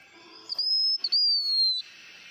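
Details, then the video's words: A Blue-winged Minla gives a decoy song, described as very pure: a thin, high, pure whistle held for over a second, briefly broken, then sliding slightly down at the end. "Chim Khướu Lùn Cánh Xanh hót mồi"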